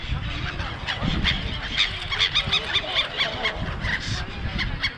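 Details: Noisy seagull crowd at Songdo, Busan, South Korea: sharp, nasal, high mewing cries repeat every fraction of a second, many birds overlapping, over a low background rumble.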